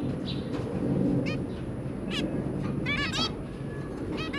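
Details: Zebra finch family of two adults and three young, kept as pets, January 2022: a few short nasal beeps over steady background hum, with a quick cluster of three or four near the close.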